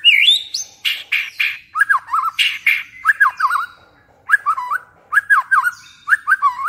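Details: In the late afternoon, a white-rumped shama sings rich, varied phrases: sliding whistles, then bursts of harsher chattering notes and repeated looping whistled figures, with brief pauses between.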